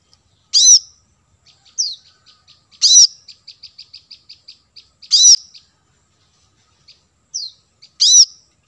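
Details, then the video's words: Kolibri manggar, the plain-throated sunbird, in lure audio meant to attract wild birds: strong high downslurred notes about every two and a half seconds, joined by a soft, even ticking series between them. "suara pancingan kolibri kelapa | manggar"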